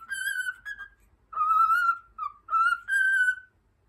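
A cockatiel whistles a learned melody, the opening of Over the Rainbow, in clear, pure, sustained notes with a few short connecting notes.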